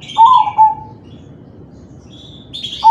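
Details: Crossbred zebra dove singing in the kalung tempuk style, used to prompt other doves to sing: a low, rolling coo with a short broken lead-in, repeated at the end, with a higher thin whistle between phrases.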